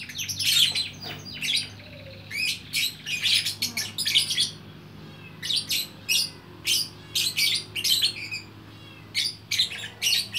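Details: Gacor lovebird from Bukittinggi, West Sumatra, producing harsh squawky chatter in short bursts spaced about every half second, high and rasping, with a faint low hum in the background.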